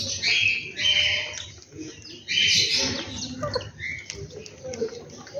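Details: Morning bird sound at a home: lively high chirping in dense bursts, pausing briefly, then resuming with sharp repeated tweets, over a soft low rumble.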